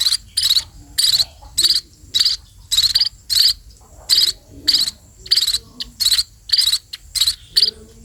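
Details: Begging from sparrows during feeding, a run of rasping chirps repeated roughly every half second at a fairly even pace, with quiet gaps and soft low murmurs between them.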